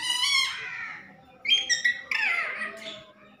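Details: Talking parrot indoors; a long harsh falling squawk, then a pause followed by a clipped, speech-like burst of several short syllables and a final raspy descending screech.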